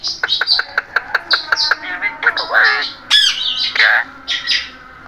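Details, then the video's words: A pet parrot talks in a squawky voice, rapid clipped syllables repeated in a quick series, then longer harsh speech-like phrases and squawks indoors. "Amazing Talking Parrot Voice | Beautiful Parrot Sound"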